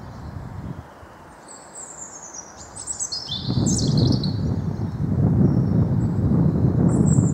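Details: Wild blue tit in a garden in the Wyre Forest, England, UK: thin, high-pitched notes and short sliding phrases, with a steady low rumble of background noise growing louder toward the end.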